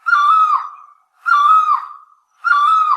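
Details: Great barbet calling: three loud, nasal, wailing notes with a short wavering dip, each about half a second long, repeated roughly every 1.2 seconds against a silent background.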